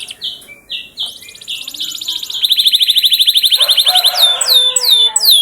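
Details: Canary song used as a lure to make canaries sing: short high notes, then a fast rattling buzzy trill, then rapid downward-swooping whistled notes repeated about every quarter second.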